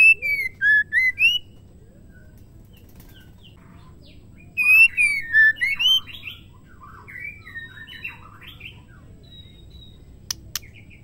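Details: Female white-rumped shama, its call meant to provoke male shamas to sing: two bursts of clear whistled notes, the first a short swooping series, the second longer, more varied and warbling, trailing into softer twitters, with a couple of faint clicks.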